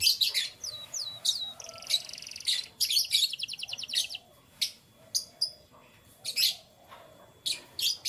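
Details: Morning canary song, fast and varied: high chirps, quick downward-sliding notes, rapid rattling trills and buzzy rolls strung together, with brief pauses and a faint low background rumble.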